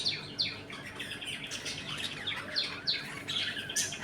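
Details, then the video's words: Budgerigars in a home colony, eating, playing and fighting, give a busy chatter of short high chirps and squeaky warbles, several birds overlapping, with a low steady hum underneath. "Budgies Eating and play time in my home colony"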